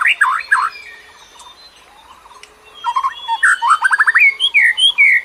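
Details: Singing bird used to lure others: a few loud slurred notes, a quiet gap with faint chirps, then a rapid chattering burst of short notes and several high squeaky whistles.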